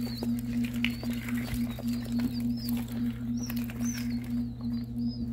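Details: Newly hatched ringneck pheasants, hatched from Nebraska eggs, give scattered piping whistles, some rising and some falling, with a continuous low hum throughout.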